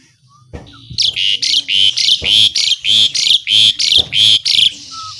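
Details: Actively singing Asian pied starling giving its harsh besetan style among copied sounds: a steady series of loud rasping bursts, about three per second, starting after a short whistle and ending with another thin whistle.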